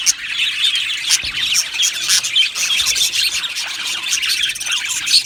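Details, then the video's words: Budgerigars from an Australian budgie colony in an aviary sing and chirp together: dense, continuous high chatter of warbled notes and short squawks, many birds overlapping with no pauses. "Beautiful Budgies Birds Singing and Chirping Sounds"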